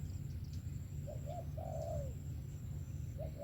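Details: A single spotted dove phrase from a bird praised for its 'sấm thổ' voice: two brief soft coos then one long, smooth, falling croon, with the start of another coo at the end; low mechanical hum throughout.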